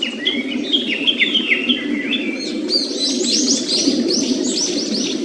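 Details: Japanese paradise flycatcher near its nest in a quiet streamside forest, the song said to go tsuki-hi-hoshi, hoi hoi hoi. Several falling whistled phrases open the recording before a dense chorus of higher, arched chirps from other birds takes over.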